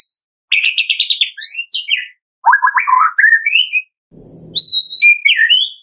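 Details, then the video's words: Medan White-rumped shama singing a morning lure meant to set captive birds off: rapid trilled phrases, rising slurred whistles and a stuttering low trill, with a brief soft rustle before high clear notes. "Pancingan pagi hari MURAI BATU MEDAN GACOR FULL ISIAN"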